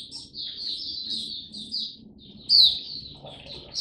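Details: Hobby Oriental white-eye singing in display, 26 November 2022: thin, quieter run of high chattering notes with a sharper squeaky burst midway, over steady low background noise.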